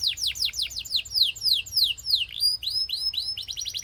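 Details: Belgian canary song that prompts other canaries to sing, a quick series of bright down-slurred whistles repeated several times a second, shifting to shorter rising notes, then a rapid trill.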